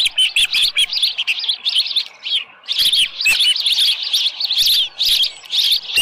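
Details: Osprey at its nest, Dunrovin Ranch, 24 July 2018 near 6:52 AM, with a headless fish. Dense strings of shrill whistled chirps, one brief lull, then renewed excited calling in quick bursts.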